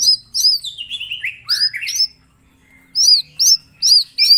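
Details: Small green leafbird in song: a run of hooked high whistles sliding down into lower slurred notes, a short silence, then evenly spaced sharp looping whistles about every half second.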